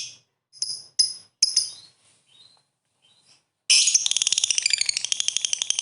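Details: Lovebird ngetik ngekek call used to prompt rival birds into song: a few sharp, clipped high chips and faint notes, then a sudden dense, loud chattering trill for the last two seconds.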